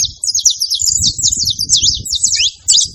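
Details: Saffron finch singing free in nature: a fast, unbroken stream of high, sharp chirped and trilled notes, jerky and rapidly varied, with a low rumble of background noise underneath.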